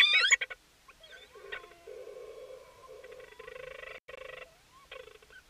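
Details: Male Leach's storm-petrel, persistently occupying a cahow nesting burrow in late May, calls while keeping his distance after attempting to mate with the chick as an adult cahow arrives: a sharp opening squeal, then soft rapidly pulsed chattering bursts over faint hiss.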